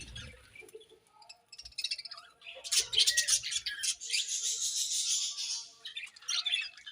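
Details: Budgies at their morning feed, starting quietly then breaking into a long, loud stretch of dense, rasping high chatter before easing off.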